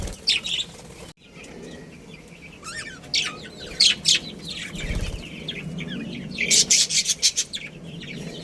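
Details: Budgerigars, a breeding pair, chirping: bursts of high, scratchy warbled chatter with quick twittering notes, loudest around 6.5 to 7.5 seconds, over low background hum.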